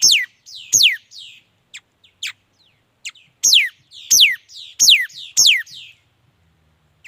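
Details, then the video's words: Energetic song of a mi dat bird: loud, sharply descending whistled sweeps repeated roughly every half second in runs, each followed by a softer slurred note, with brief thin chips during the gaps. "Tiếng chim mi đất hót chuẩn"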